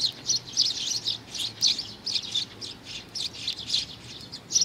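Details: Sparrow chick, June 2019: bright squeaky chirps tumbling in short clusters, fairly continuous, loud then briefly softer, over a faint low murmur.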